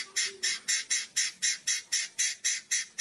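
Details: White-rumped shama giving a loud kretekan song meant to provoke other shamas: harsh, buzzy, crackling bursts repeated about four times a second in a steady rattling rhythm.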